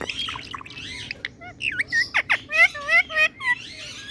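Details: Indian talking parrot in a cheerful mood producing rapid mixed chatter: squeaky, speech-like notes and short whistled slurs repeated several times a second.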